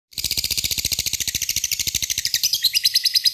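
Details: Lovebird giving its long 'ngekek' trill, used to call a rival: a fast, steady train of high, harsh chattering notes, about three per second, held the whole way and shifting slightly higher near the end.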